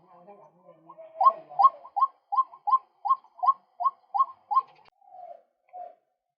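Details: Male White-breasted waterhen calling, a recording used to lure birds. Faint mutters build into nine loud, evenly spaced rising notes, then two softer drawn-out notes trail off into silence.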